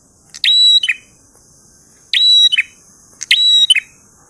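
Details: Three ngalun-style phrases from a prinia, each a crackly burst leading into a flat high whistle and a quick buzzy tail, separated by short pauses over a constant high hiss.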